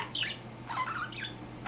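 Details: Pet budgerigar that has recently started chatting all over; raspy, squeaky chatter notes in two short bursts with a brief gap, steady background hum.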